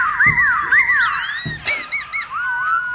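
Black-throated laughingthrush: rich, wavering whistles sliding up and down, then short rising notes and a long level whistle, with two soft low thumps.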